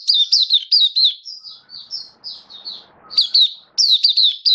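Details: Recorded 27 October 2022, a kept Oriental white-eye alternates rapid clusters of thin descending chirps with smoother sustained high notes; light background rustle mid-phrase.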